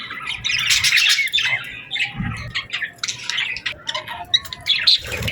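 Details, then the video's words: Several birds calling together on a summer evening as the sun sets, with rapid chattering chirps, short sharp squawks, brief quieter gaps, and a soft low thump partway through. "Evening Birds Chirping Sounds Effect | Summer Birds Singing at Sunset"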